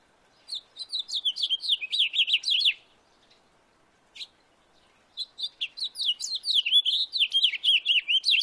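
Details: House finch singing in a backyard: a rapid, warbling run of varied chirps and slurred whistled notes, about two seconds long, then a single note after a pause, and a second longer jumbled phrase with no other sounds.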